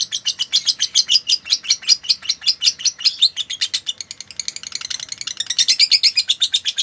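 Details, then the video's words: Lovebird song kept as a master recording for training other songbirds in Indonesia: rapid, dry chattering chirps at about two to three per second, high and buzzy, running steadily and then speeding into a denser burst near the end. "MASTERAN BURUNG LOVE BIRD"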